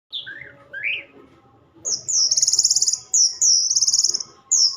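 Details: Orange-headed thrush (anis merah) singing: a few high whistled slurred notes, then long rapid buzzy trills repeated in bursts, with a faint steady hum behind.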